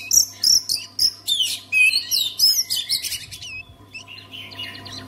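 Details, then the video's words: Oriental magpie-robin singing, a recording meant to get other magpie-robins singing: sharp repeated whistled notes and downward slurs at a brisk pace, fading into softer twittering toward the end, low hum in the background. "SEKALI DENGAR KICAUAN KACER INI PASTI LANGSUNG GACOR"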